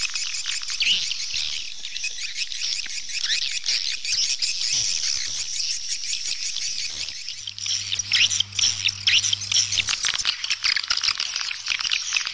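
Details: A long stretch of continuous high swallow twittering and chirping from a crowd of birds, with a low electrical hum partway through.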